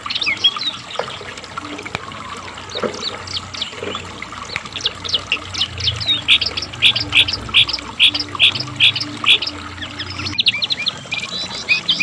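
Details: Asian brown flycatcher singing loudly, used to lure and teach kept birds: soft scattered high notes at first, then a clear series of sharp chirps repeated about twice a second, with a low hum behind.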